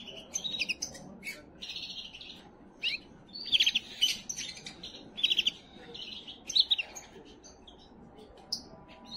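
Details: Canary singing to stimulate females toward breeding, rich continuous song of fast trills, metallic rattles and sharp repeated chips in bursts, high-pitched throughout.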